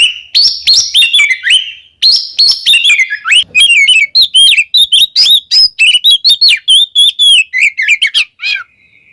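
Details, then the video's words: Oriental magpie-robin giving kembar ngeplong song as a lure for caged birds: a long, continuous stream of quick, loud whistles and chirps, bright and varied, ending on a softer, level whistled note. "suara burung Kacer KEMBAR NGEPLONG paling ampuh buat pancingan"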